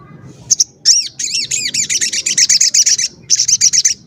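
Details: Crimson sunbird (sogon) calling, used as a lure to provoke other sogon into calling and agitation and to attract wild birds; a fast series of high, sharp chirps, roughly six per second, with brief pauses between bursts.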